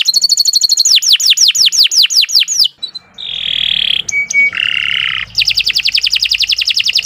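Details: Canary song: a high rapid trill, then repeated falling whistles, a pause, buzzy rasping phrases and a short pure note, ending in a fast trill.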